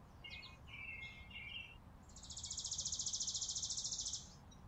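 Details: Chickadees feeding on a porch in winter on a farm, filmed December 2022; a few short, mid-pitched introductory notes, then a long, harsh, buzzy run of rapidly repeated high notes, over a low background hum.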